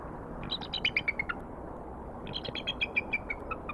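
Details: Adult female bald eagle at the Decorah nest in spring, calling her mate for a shift change while the chick watches; two bursts of high, thin, descending chittering notes, about eight rapid piping notes each, separated by a short pause.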